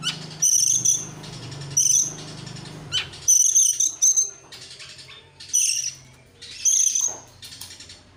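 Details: An Oriental magpie-robin, excited and spreading its tail, gives loud bursts of high buzzy ringing notes separated by short gaps, over a low background hum in the first seconds.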